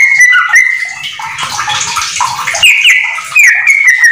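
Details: Yellow-vented bulbul singing continuously, ropel style, its song filled with magpie-robin phrases, used as a master for home bulbuls: bright whistles around a harsh, scratchy middle passage, then sliding whistled notes return.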